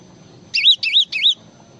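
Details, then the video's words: Java sparrow giving a short phrase of three bright, wavy whistled notes in quick succession, high-pitched and clear over a faint low background hum. "SUARA BURUNG GLATIK FULL ISIAN"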